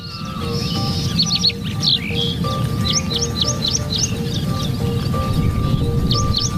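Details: Spur-winged Lapwing at Ammavaripeta Cheruvu lake near Warangal, surrounded by green fields, gives sharp, piercing notes in quick repeated bursts, several to a second, over steady background music and low rumbling noise.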